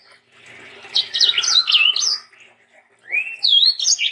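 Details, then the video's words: Sanger bird singing as tutor song for young sangers: after a soft start, a run of quick high whistled slurs follows, then a gap, then a long rising whistle that breaks into more warbled notes. "BURUNG sanger gacor untuk masteran dan pancingan sanger muda"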